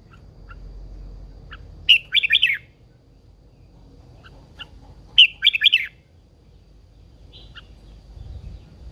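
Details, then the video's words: A red-whiskered bulbul hen from the wild prompting a male into heated song: two lively phrases of quick, bubbling whistles about three seconds apart, with soft scattered chips between them in a quiet setting. "Chào mào MÁI GIÀ RỪNG || Chào mào MÁI THÚC TRỐNG căng lửa."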